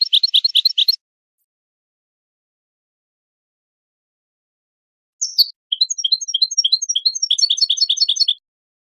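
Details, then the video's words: Goldfinch song for teaching chicks and songbirds: a brief rapid twitter, a pause, then a long flowing stream of bouncy, repeated high chirps lasting about three seconds, clean and free of other sounds. "Analysis of goldfinch songs and their performance in education"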